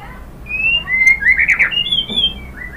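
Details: White-rumped shama singing to stir other shamas into replying: a few drawn-out whistled notes, one sliding upward, followed by a brief harsh burst and a higher whistle, over low background hum.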